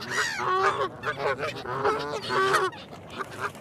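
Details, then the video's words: Geese give a series of loud, nasal, slightly rising honks, each brief and trumpet-like, roughly one every half second with small gaps. "Som dos Gansos - Barulho do Ganso"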